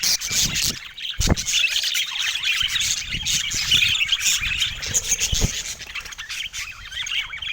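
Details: On a sunny morning in San Diego, contented pet budgies keep up a steady bright warbling chatter of rapid chirps and trills, with a couple of low knocks in the background.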